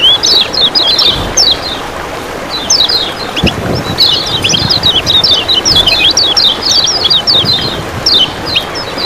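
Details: Yellow oriental white-eye (kecial kuning) from Lombok, Indonesia, kept as a hobby bird, singing rapid high chattering twitters in dense bursts almost without pause, over steady background water noise.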